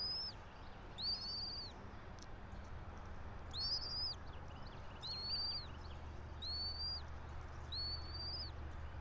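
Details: Pine-top nest of a bald eagle pair, about 90 feet up in Johnson City, Tennessee, nest camera, 06:28 on 04.03.2024: six high, thin whistles with hooked ends, spaced about one and a half seconds apart, over a low hum and hiss.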